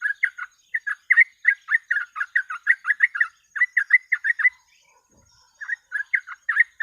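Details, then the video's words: Yellow-vented bulbul singing fast runs of short, bright chirped notes in rapid succession, breaking off for about a second of silence midway before the bubbly chatter resumes. "TRUCUK GACOR ROPEL MASTERAN PANCINGAN BURUNG TRUCUK"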